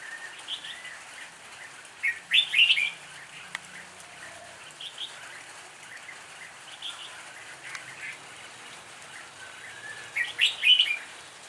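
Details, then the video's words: Fighting song of a lure red-whiskered bulbul, two loud clusters of quick warbling notes about eight seconds apart, with quieter scattered phrases between over a faint hiss. "chào mào ngẫu hứng"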